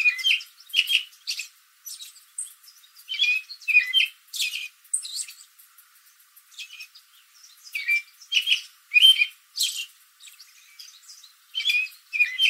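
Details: Backyard American robin sitting in a tree late in the afternoon, exchanging calls with other robins in the area; rapid series of sharp, high chirps grouped in bursts, quiet gaps between answering calls.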